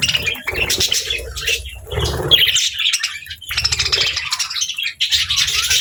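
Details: Budgerigars kept together with lovebirds as pets: intermittent bursts of twittering and squawky chirps, with rustling, low thuds and brief quieter gaps between the bursts.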